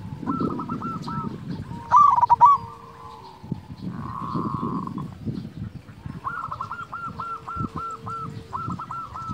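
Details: Local zebra dove with a big, sweet voice, played to provoke lazy doves into cooing: rapid strings of clipped coo notes, a loud harsh burst early, a steady hum midway, and a long even coo run near the end over low rumbling.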